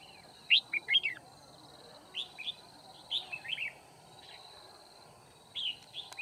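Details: Red-whiskered bulbul decoy calling out rivals while trapping, 9 February 2019: an opening loud burst of slurred whistles followed by shorter, quieter warbled phrases spaced about a second apart, over a constant faint drone.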